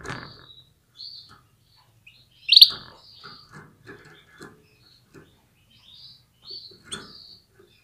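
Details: Female Atlantic canary calling to stimulate males to get ready and sing at full strength; sparse short high chirps with one louder sharp call near the middle, quiet pauses between.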